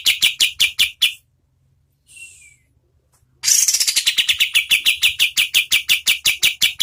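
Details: Rapid medium-speed song of an oriental white-eye, meant as tutor audio for competition birds: a short run of bright high chips, a pause with one faint slurred whistle, then a long steady train of loud, evenly spaced chips.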